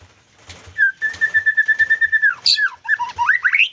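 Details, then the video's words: White-rumped shama in song: a steady mid-pitched whistle pulsed rapidly for over a second, then a quick run of looping, rising whistled notes. "Murai Gacor Full Durasi"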